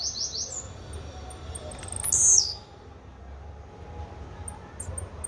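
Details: A single thin, wheezy Blue-black grassquit song, high and abrupt, sits mid-clip. A softer buzzy sound opens the recording and faint high ticks follow.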